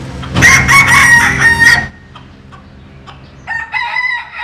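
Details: A Jap Cuban bantam cock basking in the sun crows loudly and roughly for about one and a half seconds. After a quiet gap with faint clicks, a shorter, thinner second crow follows.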